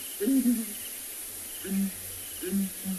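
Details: A breeding pair of southern ground hornbills at sunrise on 29 December 2020 at Ngala, South Africa, give their booming call: deep, soft booms in a low hooting rhythm, about four notes in three seconds, over faint hiss.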